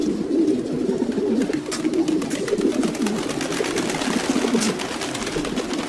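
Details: Flock of domestic pigeons giving overlapping low coos, a murmuring, wavering drone of repeated rolling phrases, with scattered clicks and wing or foot rustles.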